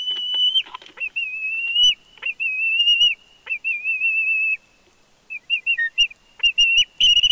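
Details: Bald eagle at the nest in Big Bear, live nest cam: a steady high whistle that wavers in quick rippling trills, fades, then returns as shorter rising squeaks with some clicking near the end.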